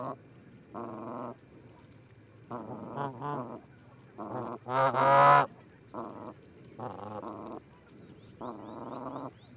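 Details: A pair of Canada geese calling from an osprey nest at Charlo, Montana, dated 4-7-18 on a live camera: spaced, drawn-out honks, one especially loud and harsh near the middle.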